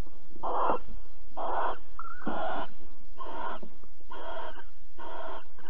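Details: Harsh hissing screeches from barn owls during mating and cuddling, Alphen, 22 April 2020, 21:37. Six rasping bursts, each under half a second, spaced about a second apart, over a steady low hum.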